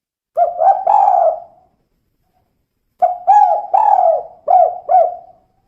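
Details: Female spotted dove giving the call style known locally as kuk 2: two hollow cooing phrases, the first of three short notes and the second of about five quick rolling coos, with silence between and no other sounds.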